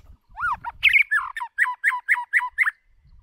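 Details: Decoy white-rumped shama singing for voice training: a clear arched whistle, then a rapid string of about eight short, downslurred, repeated notes, delivered briskly and loudly, with faint low background rumble.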